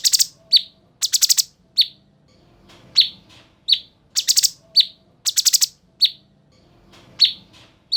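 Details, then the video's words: Energetic cucak cungkok bulbul song used for tutoring pet songbirds: repeated rapid grating four-note rattles, each followed by a clear downslurred chirp, with single chirps between, cycling throughout. "Cucak Cungkok Gacor Isian Sangar dan Tajam"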